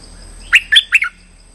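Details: Lure call for trapping streak-eared bulbuls: three short, harsh, bubbly chirps in quick succession, about a fifth of a second apart, then quiet with a faint high hum.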